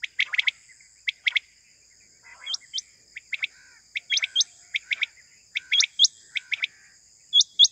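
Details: Quail giving morning calls, sound used for hunting: clusters of short, sharp chirping notes in quick bursts every second or so, with thin upslurred whistles between, over a steady high insect-like drone.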